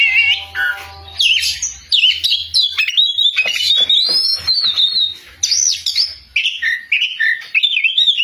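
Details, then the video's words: Oriental magpie-robin in loud, energetic song: after a brief harsh note, a long run of varied whistles, slurs and clicks, phrases rising and falling over a faint low hum. "BURUNG KACER GACOR SUARA KERAS"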